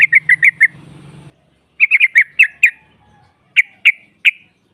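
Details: Female trucukan luring rivals: sharp, bright chirps in quick runs of four or five, then three spaced single notes, with a low hum under the first second.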